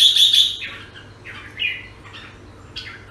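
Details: Jambul, or red-whiskered bulbul, recorded in Singapore: a loud burst of bright chattering notes opens, followed by softer, separate slurred whistles spaced about half a second apart over a faint low hum.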